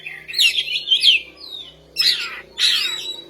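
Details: Oriental magpie-robin in full song: rich, warbled whistled phrases, then two loud, sweeping, buzzy notes, over a faint low hum.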